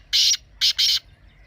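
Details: Partridge voice aimed at getting a bird into calling mood: three loud, harsh, broadband notes, a single longer one followed by a close pair.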